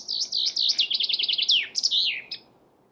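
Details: Chaffinch song heard close and loud, a speeding trill of high notes dropping in pitch, then a bold downward flourish and a short extra note.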